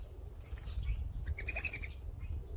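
Mourning dove wings give a quick, high twittering whistle in a rapid burst of pulses as the bird flies, over a steady low rumble of wind.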